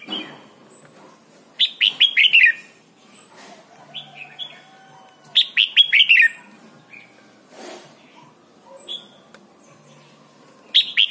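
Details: Red-whiskered bulbul from Thailand, its song used for teaching young birds to sing: three bursts of quick, bright, slurred chirping notes, each phrase about a second long and separated by quiet gaps of several seconds, with a brief soft thump between them.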